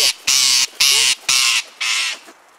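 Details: Rose-ringed parakeets squawk while feeding from a person's hand near feeders. Four loud, harsh, broadband screeches of about half a second each come in quick succession, with a woman's voice talking nearby.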